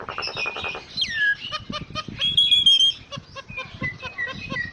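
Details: Common myna, called jalak nias, in varied 'isian' song: a fast rattling trill, a downslurred whistle, a sustained high whistle, then scattered clicks and short chattering notes.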